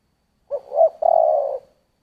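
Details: A single giọng thổ style phrase from a spotted dove: a quick low note, a swelling second note, then a sustained hollow coo fading out. Nothing else is heard.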